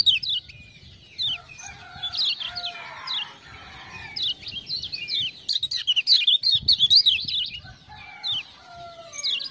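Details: Tutor-style gacor singing from a lemon-bellied white-eye (kecial kuning, Lombok), spurred by ciak-ciak sounds: high rapid chatter interrupted by a lower harsh crowing-like sound, then a fast warbling run and fading notes.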